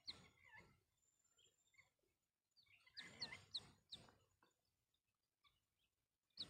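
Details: Red-wattled lapwing mother sitting on camouflaged eggs near St Mary's School, Mount Abu, calling to her chick: sharp, high, short notes repeated roughly every half second in a brief burst, with rustling noise before and after.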